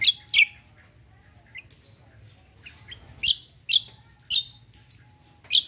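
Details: Cucak kombo in tembak style delivering loud, abrupt high whip-like notes spaced about half a second to a second apart, with softer chirps between and a quiet low hum behind.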